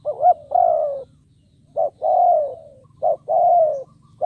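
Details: Spotted dove decoy bird cooing to lure wild doves: low mellow coos in repeated phrases, each a short wavering note followed by a longer, slightly falling coo, with faint low background hum.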